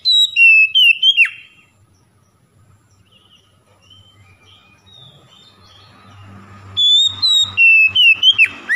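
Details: Oriental magpie-robin song used to coax silent magpie-robins into full song. Bright whistled phrases with falling slurs open the recording, followed by a long quiet pause with faint chirps and low rumble, then another energetic run of clear whistles.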